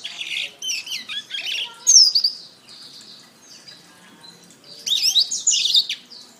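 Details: Canary song as a training master: a burst of wavering high whistles and trills, a quieter faint middle stretch, then another loud burst of slurred notes.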